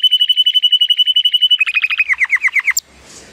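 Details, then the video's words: Timbrado Español canary, a male born in 2018 and rated 83 points, sings on a sunny day. A long steady run of rapid repeated notes is followed by faster descending slurred notes. A high squeak ends the phrase, then faint noise. "The most PLEASANT Canary training song"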